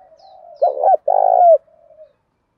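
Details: Male-luring spotted dove call in a deep rustic voice: a low soft lead-in, a stuttered double note, then a long rolling coo that slides down at the end, fading into quiet low notes.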